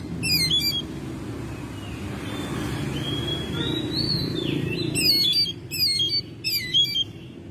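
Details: Home-kept Oriental magpie-robin in May: a soft rising whistle gives way to bursts of harsh, fast repeated chattering notes every second or so, with a steady low hum behind.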